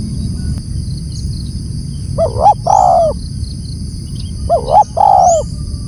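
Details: Two loud spotted dove phrases, each a pair of short rising notes and then a long descending coo, repeated about two seconds apart over a soft low hum.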